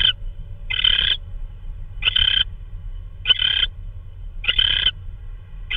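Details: Nighttime owl prey delivery, perhaps a vole, on March 16, 2013 at 3:12 AM. Five grating hiss-screeches spaced just over a second apart, each short and noisy, with low electrical hum behind.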